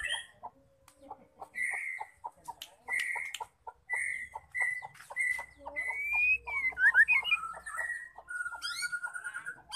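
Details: Hen white-rumped shama calling to spur males to sing: evenly spaced short ticks under repeated clear whistled notes, building into louder rapid slurred warbles and a drawn-out whistle.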